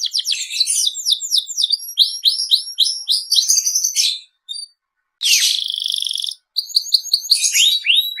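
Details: Canary of the Seri FI line in lively full song: fast sweeping chirps and tumbling phrases, a short pause, then a dense buzzy roll and further quick rising notes.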